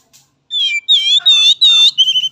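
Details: Oriental magpie-robin song, played as a lure to train young birds: a short burst of loud, harsh, buzzy notes with a strong ringing tone, in four closely spaced bursts after a brief quiet start.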